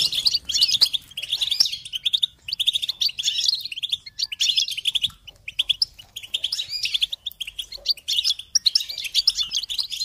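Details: Goldfinches in song, used to motivate and support young birds in learning. Bursts of quick, bright twitters and jingling trills come roughly every one to two seconds, separated by brief quiet gaps.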